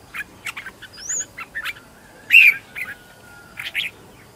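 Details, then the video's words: Decoy red-whiskered bulbul, trained at home to attract wild birds, giving scattered short chirps around one loud, clear downslurred whistle at mid-phrase. "Chào mào mồi gọi bổi, cách dợt chào mào mồi"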